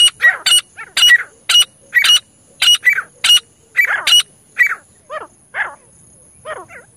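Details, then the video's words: Francolin calling, possibly two birds, in harsh, grating bursts about two per second, fading into thinner squeaky notes toward the end, over a faint steady high hiss. "francolin calling"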